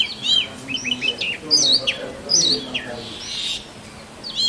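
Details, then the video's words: Short passage of a male Oriental magpie-robin singing to attract a mate in forest: a few bright whistled slurs and chirps, high-pitched and spaced out, over soft low background noise. "Male Oriental Magpie Robin Singing"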